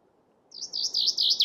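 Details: Chaffinch song, opening section only: a string of evenly repeated, high, slightly wavering notes growing louder over about one second, with a quiet background.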